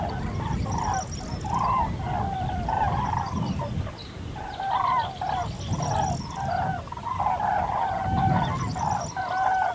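Common cranes give loud, rolling trumpet calls in overlapping bursts every couple of seconds, over a steady low rumble of wind or distant noise.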